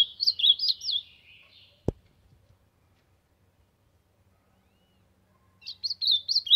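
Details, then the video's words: Ultramarine grosbeak singing to warm up, sertão: a quick burst of wavering whistled notes, then a sharp click and a pause of several seconds before the same zigzagging whistled phrase returns, over a low hum. "Azulão cantando pra esquentar"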